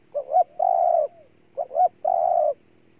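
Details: Spotted dove from Ninh Thuận, Vietnam, giving two loud cooing phrases. Each has a short double-note opening followed by a long, even, slightly buzzy coo, with the phrase repeated after about a second. The background is quiet.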